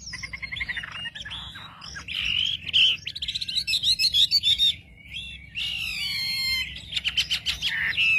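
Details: Wambi song as a lure to excite other wambi: rich mix of whistles, rapid chattering trills and buzzy repeated notes, changing phrases every second or two, with a brief quieter pause midway.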